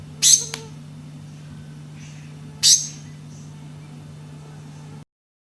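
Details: Black-cheeked gnateater song: two brief, sharp, very high bursts about two and a half seconds apart, each a noisy explosive note with a short trailing tick, over a steady low hum and faint background chirps.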